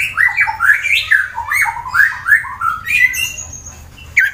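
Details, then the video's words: White-rumped shama from Wonosobo, Central Java, Indonesia, used as a fighter bird to make rivals sing: continuous warbled whistles bouncing up and down, with a thin high note near the end. "Murai BATU FIGHTER Bikin Emosi lawan langsung GACOR"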